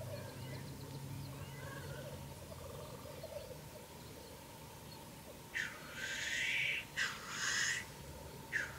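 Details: Black grouse from an evening hide, around 9 pm: faint low bubbling cooing at first, then after a quiet pause three rough hissing, sneezing bursts in quick succession.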